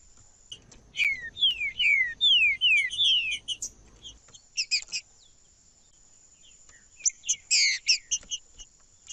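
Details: Green-winged saltator (trinca-ferro) singing to warm up other birds and train young ones: a run of loud, clear whistles slurring steeply downward, then bursts of sharp, high chipping notes after a pause; a faint steady high tone throughout.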